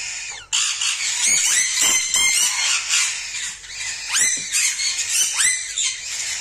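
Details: A baby whiteface cockatiel gives a begging call of harsh, raspy squawks in rapid, continuous bursts.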